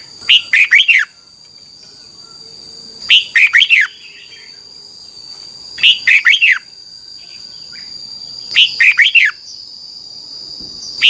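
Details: Thai red-whiskered bulbul song used as a training recording for young birds: four- to five-note whistled phrases repeated about every two and a half seconds, bright and slurred downward, over a constant thin high hum.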